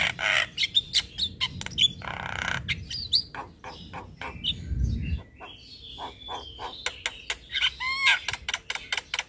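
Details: Javan myna master song for training young birds, with full fill-ins: a jumble of sharp harsh notes, a noisy hissing burst, and high whistled slurs rising and falling, over a low background rumble.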